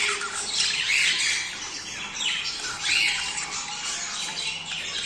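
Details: Budgerigar breeding-stimulation chatter: continuous warbling of a group with rising whistled notes near one and three seconds over a scratchy, buzzy background.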